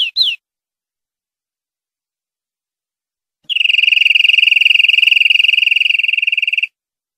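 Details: European greenfinch song from a clean tutor recording made to teach captive greenfinches: a brief high slurred note, a pause, then a steady, rapid, buzzy trill held level for about three seconds. No other sounds.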